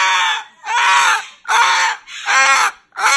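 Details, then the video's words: Moluccan cockatoo, a pet bird resisting being put to bed in its cage at night, gives four long, harsh, rasping screams, each about half a second, with brief gaps between them in a quiet room. "Moluccan cockatoo Misha doesn't want to go to bed and complains about it"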